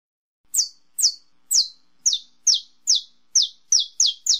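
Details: Saffron finch (canário-da-terra) singing estalo: ten sharp, high, downward-sweeping chips that start spaced and gradually quicken into a tighter, slightly lower run; no other noise.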